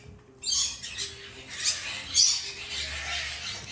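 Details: Two hand-fed female Black-headed caique chicks from a domestic breeder give harsh, hissing rasps in uneven bursts about every half second, with a soft background hum.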